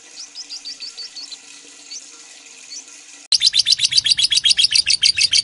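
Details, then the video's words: Lovebird giving ngekek long chatter, used as a master recording for training songbirds: a few faint, thin high chirps, then a sudden loud burst of rapid harsh pulsed chatter, about four notes per second, filling the last two seconds. "Suara Lovebird Ngekek Panjang"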